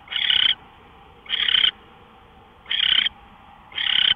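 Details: Owl heard before dawn, 5:27 AM on March 24, 2013: four coarse, noisy hiss bursts, each under half a second, coming about every second and a quarter, with a quiet electrical-like hum underneath.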